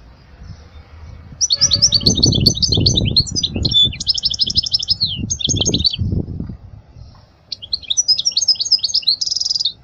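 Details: Goldfinch song meant for teaching young chicks, a lively twittering stream of chirps and trills with a brief gap and a final buzzy phrase, accompanied by several dull low thumps in the background.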